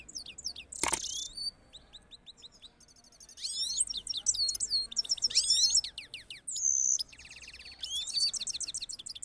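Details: A pair of Himalayan goldfinches, male singing powerfully to the female, in a fast tinkling medley of high twitters, buzzy trills and sliding whistles in quick bursts, with one sharp click early on.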